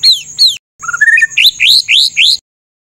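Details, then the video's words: White-rumped shama song with harsh 'tembakan kasar' shots, used as tutor material for songbirds: two falling whistles, a pause, then a low whistle and a run of loud rising upslurred notes in quick succession. "MASTERAN MURAI BATU FULL ISIAN TEMBAKAN KASAR"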